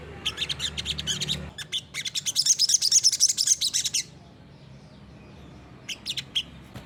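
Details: Olive-backed sunbird, locally sogok ontong sriganti, singing persistently in 'gacor nembak' style for use as a master recording: quick high chirping that rises into a dense, shrill trill for about two seconds, then silence and a few last chirps.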